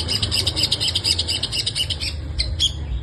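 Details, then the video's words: Long-tailed shrike in energetic 'full isian' song: a continuous fast, scratchy chattering warble of high twittering notes with no pauses, ending in a few sharp separate chips, low rumble beneath. "burung pentet gacor full isian"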